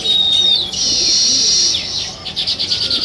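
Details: Sparrows in a village at dawn chatter loudly, with a bright sustained chorus followed by quick pulsing chirps repeated several times a second.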